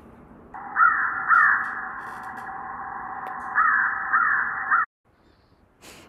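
An American crow gives harsh, hoarse caws: two about half a second apart, a pause of two seconds, then three more in quick succession.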